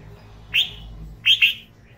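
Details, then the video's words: Red-vented bulbul calling close by: one bright downslurred chirp, then a pair of quick, sharp notes, clean against faint background hum. "Red Vented Bulbul Sound"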